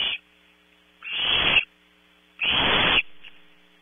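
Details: Barn owl owlets in a nest box at Audubon Starr Ranch, California, competing at night over prey delivered at 03:00. Two long, harsh, noisy screeching hisses about a second and a half apart over a faint constant hum.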